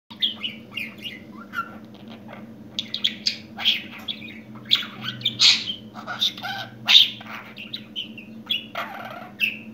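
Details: Pet budgerigar that has newly started talking, chattering in a fast stream of scratchy, high warbles and clicks with irregular bursts, over a steady low electrical hum.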